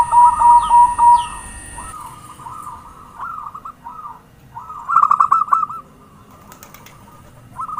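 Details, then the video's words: Zebra dove lure sound. Rhythmic pulsed coos at first are followed by softer, slurred coo phrases and a sharp burst of rapid stuttering notes near the middle, with a steady faint tone early on. "Suara Pancingan perkutut gacor"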